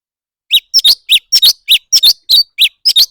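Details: Quick, sharp chirps from a leafbird in a singing contest, alternating single notes and close doublets in a lively, irregular rhythm.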